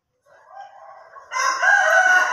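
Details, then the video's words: Ayam Ketawa rooster crowing, a soft rising start that swells into a loud, drawn-out, strained note. "AYAM KETAWA SLOW VS AYAM KETAWA DURASI"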